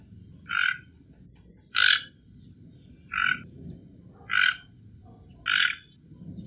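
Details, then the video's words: A toco toucan, native to Brazil, repeats a raspy croak five times at an even pace of roughly one per second, over a low background rumble and faint high hiss. "Tucano Toco Canto"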